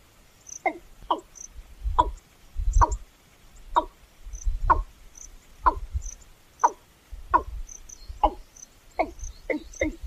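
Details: Watercock calls: a series of short, deep, liquid gulping notes repeated roughly every second, each a brief abrupt pulse with a low booming undertone, the kind males give very vocally when breeding, likened to a water bottle emptying.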